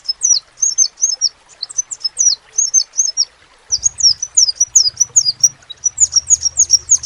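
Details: Crimson sunbird repeating sharp, high, falling notes, spaced at first and then quicker and denser; a low hum comes in halfway through.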